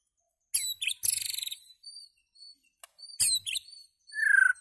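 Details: White-rumped shama giving high, thin chirps and a rapid buzzy trill, with scattered short tweets and a low descending whistled slur at the end.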